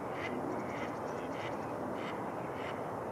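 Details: Flocks of mallards gathering on a lake in New Brighton, Minnesota, where spring ice has melted near shore on a warm day; a series of nasal quacks repeats about every half second over a steady broad background rush.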